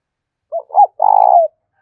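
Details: Spotted dove coo for training a decoy bird and prompting it to coo: a brief hoot, a slightly louder rising-falling note, then a sustained burred coo with a downward tail.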